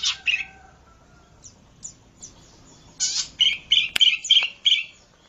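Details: Zitting cisticola in a lure and training recording: scattered high chirps, then a run of short, sharp, high notes repeated about three times a second, broken by one loud click.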